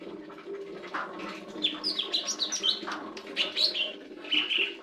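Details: Lesser green leafbird song of rapid varied whistles and chirps in bursts, a lively run around the middle and another near the end, over a constant low electrical hum.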